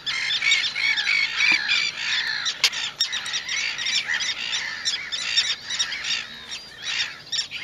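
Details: A flock of young Little gulls gives a dense, overlapping clamor of sharp, nasal, high-pitched calls, several a second, with no pause throughout.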